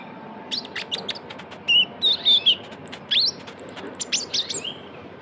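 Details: Lure call of a young Van Hasselt's sunbird (kolibri ninja): high ticking chips, then several loud wavering whistled phrases, more clicks afterwards.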